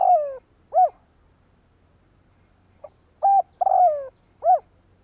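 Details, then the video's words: Decoy spotted dove cooing to lure wild doves: a long, descending, slightly rough coo followed by a short arched note, then the same pattern repeated after a pause, all low and mellow against a quiet background. "Tiếng Chim cu gáy Kích bổi hiệu quả ,Cu mồi gáy gọi bổi. Cu gáy kích bổi mở là gáy"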